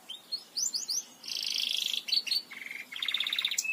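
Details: Belgian canary song used to teach other canaries to sing: quick rising chirps, then a bright buzzy trill, a sharp broken phrase and a steady rattling roll near the end.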